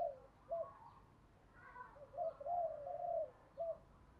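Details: Spotted dove decoy bird with a fine, well-structured cooing voice, kept to quickly stimulate newly caught doves to coo; soft, mellow coo notes in short phrases, fairly faint above a steady hiss of background noise.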